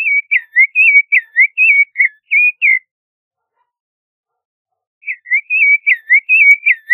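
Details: Creamy-bellied thrush singing two rapid bursts of choppy, twisting whistled notes, several per second, separated by a silent gap of about two seconds.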